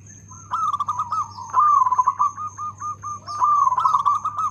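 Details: Loud, well-rhythmed song of a local Zebra dove: long strings of fast, burbling coo pulses rising and falling slightly in pitch, two phrases with a brief pause, steady high-pitched whine and low electrical hum underneath.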